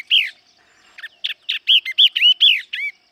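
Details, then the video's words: Loud yellow-eyed babbler song of ringing, arched whistled notes delivered in a rapid, slightly uneven series, an opening note followed after a pause by about eight quick, bright phrases. "Tiếng hót Họa Mi Mắt Vàng. นกกินแมลงตาเหลือง"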